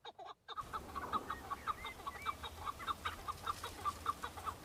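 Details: Breeding-season male Chukar partridges fighting and showing off to females on Mount Bamo, Kurdistan, Iraq. After a brief noisy start, a steady series of sharp, clucking chuck notes repeats about three times a second, with a few upslurred notes mixed in.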